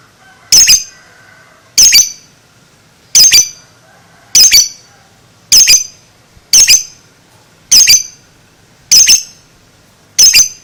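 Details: Lovebird, a two-month-old bird, giving sharp, shrill squawks spaced about every 1.3 seconds, each a short high burst, nine in all, in a quiet indoor setting.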